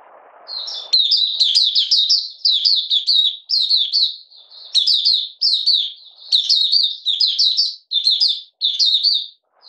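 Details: Oriental white-eye from Malaysia, in minor moult and not in form, 31 July 2023, delivering 'buka sing' opening song: a long run of bright, high, slurred chirping phrases repeated about every second.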